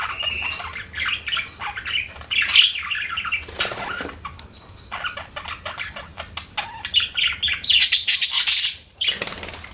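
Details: Budgies chattering in fast, uneven bursts of scratchy chirps and high, sharp squeaks, some notes thin and piercing, with a short quieter stretch midway, over a faint low hum.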